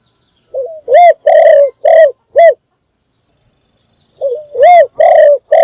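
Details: Morning call of a spotted dove used to lure other birds: a quiet lead note and four loud, hollow coos, a pause of about two seconds, then the same phrase beginning again.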